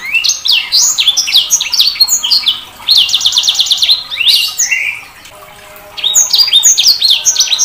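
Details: Sanger bird singing a fast, varied song of high chirps and sharp downslurred notes, broken by buzzy rattling trills, with a short quiet pause before the chirping resumes.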